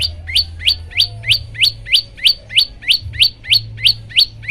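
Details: Olive-backed tailorbird song for setting other birds off singing: bright upswept chirps, each rising sharply and ending on a high point, repeated evenly about three times a second.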